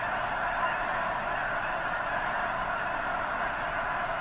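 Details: Huge flock of Snow Geese gathered near the eastern end of Potholes Reservoir, likely before migrating north to breed on the arctic tundra; dense, continuous wall of overlapping honking and yelping from countless birds, no gaps.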